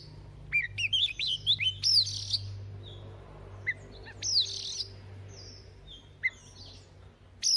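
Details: Oriental magpie-robin decoy song for daily morning voice training: scattered sharp whistles and short trilled notes, quieter, over a steady low hum.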